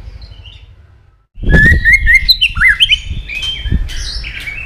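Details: Captive white-rumped shama, used as a female voice to excite males into fighting; after a second of near silence, loud whistled phrases of slurred rising and falling notes around mid-high pitch, with low thumps and knocks beneath.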